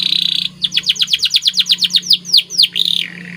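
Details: Domestic white canary in lively song: a buzzy trill opens, then a quick series of descending chirps, slowing into deeper swooping notes and a final buzzy trill, with a faint low hum underneath.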